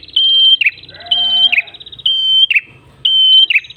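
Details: Prenjak kepala merah lure song in ngalun style: four evenly spaced whistled notes roughly once a second, each ending in a harsh buzzy fall, with a brief lower warble early on.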